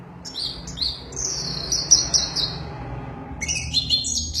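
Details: Orange-headed thrush singing excitedly: two quick high notes, then a long descending whistled phrase, a pause, and a dense burst of high chattering notes over low background hum.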